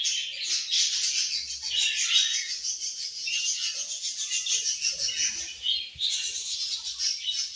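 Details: Several budgies chatter continuously in a dense, high, twittering wash of overlapping chirps and scratchy notes with no pauses.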